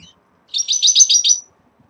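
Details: Red-fronted serins at the start of moult, kept in a cage: a short bright phrase of about seven rapid buzzy high notes over roughly one second, preceded by a faint chirp.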